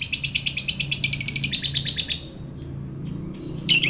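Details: Fighter lovebird in 'ngekek' style, used as bait to provoke fighters: a rapid run of shrill, repeated chattering notes for two seconds, a pause, then a final harsh burst.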